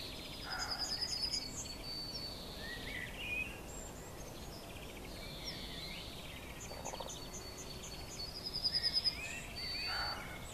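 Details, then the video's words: Eurasian siskin singing and calling on a roof ridge: scattered high twittering notes and short fast trills, a brighter trill burst near the end, with a brief whistled note midway, over steady outdoor background noise. "Siskin Singing and Crying on the Roof Ridge"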